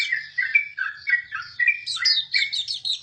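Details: Hume's white-eye singing a fast sequence of short slurred whistles, several falling notes in a row, then shifting into higher, sharper twittering chirps, steady and unbroken throughout.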